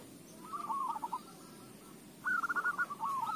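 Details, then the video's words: Zebra dove singing as a lure for other doves: two short bursts of quick rolling coo notes separated by a quiet gap, with faint background hum. "AWAS KUTUTMU JADI GACOR !! Pancingan AMPUH"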